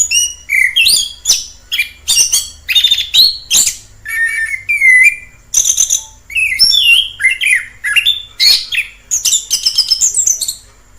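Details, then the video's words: Wild orange-headed thrush singing in its natural habitat: a rich, varied run of loud whistled phrases mixed with sharp chirps and trills, each phrase changing pitch, coming in quick succession with short gaps between them. "Suara asli anis kembang di alam liar"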